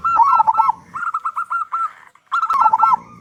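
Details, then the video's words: Vigorous local zebra dove with a loud voice, played to prompt other doves into song; quick cooing notes, some dipping and wavering, in three short runs separated by brief pauses. "Perkutut Lokal Gacor Suara Besar Pancingan Burung Perkutut Agar Cepat Bunyi"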